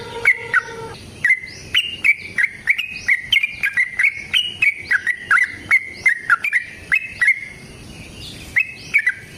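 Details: Extended trill of a yellow-vented bulbul, played as a lure for caged birds: bubbly whistled notes follow one another at an even pace for several seconds, then pause before resuming, with sharp clicks marking each note.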